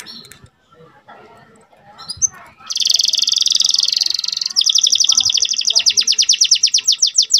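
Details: Domestic canary singing, aimed at making female canaries ready to breed: faint background noise first, then a sustained high buzzy trill followed by a long run of quick, evenly repeated chirping notes.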